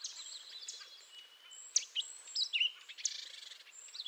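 A Canada jay gives a busy run of high chattering notes, squeaky whistles and short slurred chips over four seconds, with a light background hiss.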